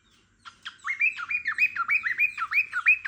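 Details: A pet cockatiel singing beside a dozing lovebird: a fast, steady string of bright whistled notes, each rising then dipping, repeated about three times a second with no pause.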